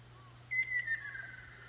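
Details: Ruddy kingfisher recorded on Amami island, Japan, giving one short clear call that falls gently in pitch over about half a second, above a soft constant background drone.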